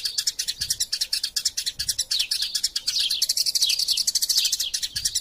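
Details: Eurasian tree sparrows fighting, a tutor track for songbirds: rapid, lively high chirps without a break, growing busier and louder in the second half with rising and falling slurred notes.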